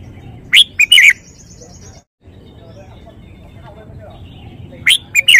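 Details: Red-whiskered bulbul showing off the phrasing of its song: a short cluster of bright, warbled notes near the start and another brief burst at the end, separated by quiet with a thin steady tone early on.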